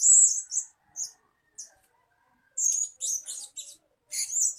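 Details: Blue-crowned hanging parrot calling, played as a lure to attract birds: high, shrill, sibilant squeaks in short bursts and pairs separated by silent gaps, some notes buzzy and scratchy.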